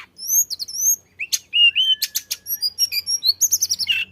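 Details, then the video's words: Flycatcher (tledekan) singing strongly to prompt other birds to sing: paired high slurred whistles open, followed by sharp chirps and a quickening run of short notes with faint low hum beneath. "kicau tledekan gacor ampuh untuk pancing bunyi"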